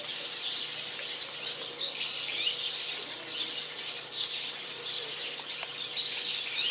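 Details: Many Japanese waxwings gathered on a dead garden persimmon tree keep up overlapping high, thin trilling calls, sibilant and steady, with short whistled notes scattered through.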